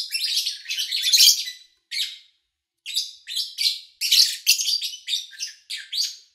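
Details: Lovebirds chirping in a busy scratchy run, then a pause, then a string of shorter sharp notes; recorded in early August 2019 with little human activity around.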